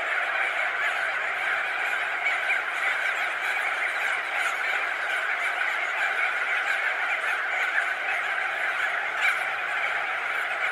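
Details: From thousands of perched and wheeling crested auklets comes a seamless, buzzing chorus of nasal calls lasting throughout, with an occasional sharp squeal rising above it.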